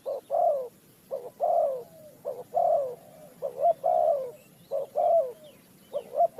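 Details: Spotted dove calling during bird trapping, Ninh Thuận: repeated soft, hollow coo phrases, each two quick short notes then a longer sliding coo, about five phrases in steady succession.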